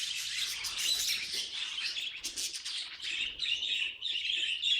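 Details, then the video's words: Budgerigar kept as a pet giving a busy run of shrill chirps and buzzy warbled notes, steady and unbroken, ending in a thinner, higher twittering phrase. "Funny Budgie Noises Compilation"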